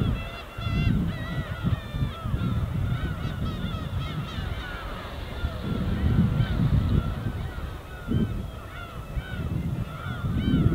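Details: Gulls massing and flying together over the wintry East Sea shore, many overlapping wailing and yelping cries throughout, some bursts of rapid calls, against pulses of low, rolling wave sound.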